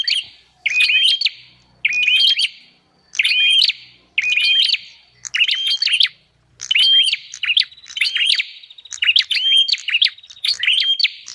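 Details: Bar-winged prinia call used as a lure: bursts of bright hooked whistles and clicks, about one phrase per second and a half, with clear silent gaps between phrases.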